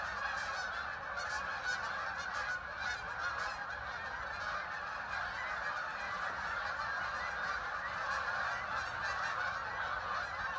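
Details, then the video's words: Thousands of ducks arriving at Hockanum River Linear Park, Vernon, Connecticut, flying and landing on the water; a thick, steady wall of overlapping nasal calls with scattered louder individual notes throughout. "thousands of ducks arrived making a strange noise"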